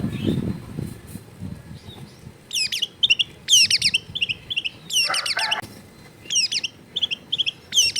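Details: Long-tailed shrike recorded at home in a crowded residential area, meant to get a silent shrike singing: harsh, scratchy chattering bursts repeated every second or so, interspersed with short quiet gaps and low rumbling background noise at the start.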